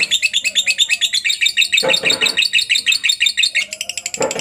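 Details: Lovebird giving a long ngekek, or ngetik, chatter meant as training material for other lovebirds: rapid high repeated notes, roughly three each second, broken twice by short harsher rasping bursts.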